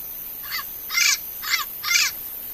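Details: Wild turquoise-fronted parrot giving four harsh, raspy squawks about half a second apart, each a broad grating burst, over quiet background hiss.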